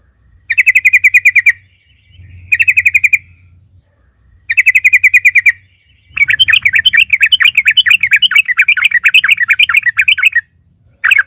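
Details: Sooty-headed bulbul song as a lure to make other bulbuls sing: three short, evenly pulsed rattles separated by gaps, followed by a long, rich chattering phrase of rapid notes, with faint low hum.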